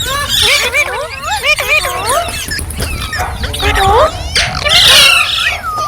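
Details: Green parrots, likely several, chirping: curved, harmonic notes rising and falling in quick succession, dense overlapping chatter with a harsher burst near the end.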